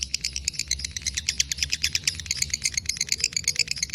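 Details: Fighter lovebird in a long ngekek, giving bright, tinkling 'kek' notes in quick succession over a low background hum.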